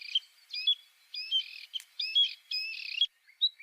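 A Bluethroat sings short, high phrases about once a second, mixing ringing metallic notes with buzzy, scratchy trills, against a quiet background.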